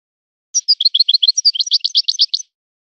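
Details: European goldfinch described as forest-born, singing in the style of a particular breeder's birds: a quick two-second run of bright chirping and twittering notes, some sliding, on a clean silent background.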